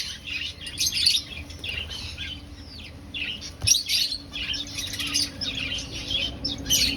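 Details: Finches kept in an aviary breeding colony, searching for a nest: scattered high squeaky chirps and short twittering phrases from several birds, irregular and overlapping, with one sharp knock midway.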